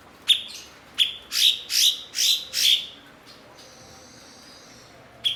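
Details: Blue-winged leafbird, locally called cucak cungkok, a fluent mimic of other birds kept as a master bird for training other songbirds; sharp high chirps, each sweeping down, given singly and then in a quick run of four, then a faint thin whistle.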